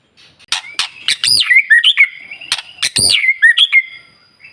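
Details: White-rumped shama in morning song used as a lure for other birds: sharp clicking ticks mixed with high slurred whistles and short chattering phrases, repeated in two bursts.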